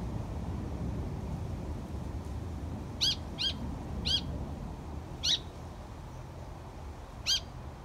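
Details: A young Malaysian pied fantail, 22 July 2022, gives five short, sharp high notes at uneven gaps over about four seconds, against a steady low rumble of background noise.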